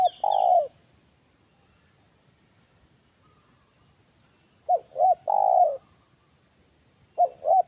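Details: Spotted dove with a big-voiced single 'kuk' call during a trapping session with a decoy bird: three phrases of two short clipped coos followed by a longer rolling coo, separated by silences, with a steady electronic whine throughout.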